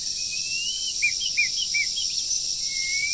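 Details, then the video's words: Wild bird in moult during the breeding season, under training, singing: short whistled notes and looped slurs near mid-high pitch, several in quick succession, then a long thin rising whistle, over a constant high insect-like hiss. "Chim Rừng Đang Thay Lông Mà Chíên Quá • Dợt Chim Mùa Sinh Sản"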